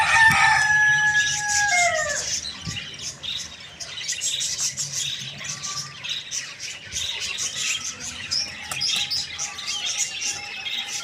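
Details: Rooster crowing in the morning: a loud, drawn-out harmonic crow trailing off and dropping in pitch at its end, then dense high chirping and twittering of many small birds throughout.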